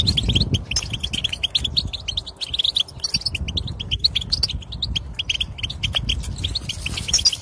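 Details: Fast chattering European goldfinch song used to prompt silent goldfinches: dense high twitter notes in near-continuous flow, accompanied by low rumbling background noise.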